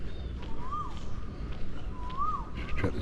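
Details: In Benjakitti Park, Bangkok, where many koels are calling, perhaps in breeding season, an Asian koel gives two arched, whistled notes that rise and fall over a low hum of traffic.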